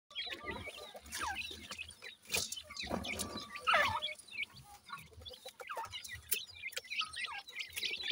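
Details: Grey francolin chicks in a captive breeding setup, being fed insects by the female. Short, high, slurred chirps repeat in irregular bursts, mixed with many sharp clicks and rustling; a louder rising-falling note stands out near the middle.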